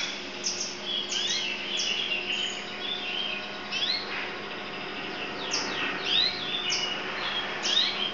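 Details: Continuous warbling song from a yellow canary: dense bursts of sharp, high chirps and rapid downward-sweeping notes alternating with rolling trills, with a low steady hum underneath.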